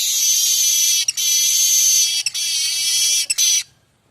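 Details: Streaked weaver in full song, its recording offered as tutor material for magpie-robins: a long, loud, sizzling buzz lasting over three seconds, broken by three brief gaps.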